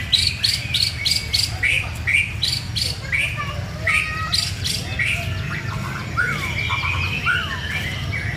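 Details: Energetic white-rumped shama song: a dense run of harsh squawky notes and chirps, followed by looping slurred whistles and downward sweeps, with a constant low background hum.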